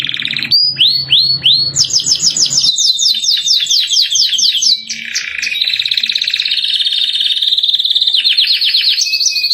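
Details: Captive canary, song used as a training master, in the cengkok mewah style: a few upward-swept whistles open, then long fast rattling trills that step between high and lower pitches, steady and loud.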